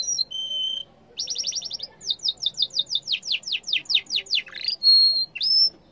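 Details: Yellow canary: a short whistle, a low steady tone, a rapid rattling trill, then a run of fast descending sweeps ending in a buzzy burst and held high whistles.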